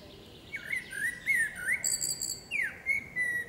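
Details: Female common blackbird singing in a forest: a low, fluty warbled phrase of sliding whistles, then a thin, squeaky high twitter, with a second whistled phrase after a short pause.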